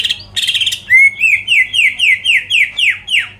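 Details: Greater green leafbird song to provoke rival birds: brief harsh buzz, then a rising whistle followed by about nine evenly spaced slurred whistled notes, roughly three per second.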